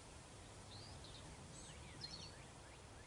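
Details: An after-second-year male black-capped vireo sings on his nest, a quick, varied run of high, slurred and chattering notes over a low steady rumble; the female arrives at the end to take her turn incubating.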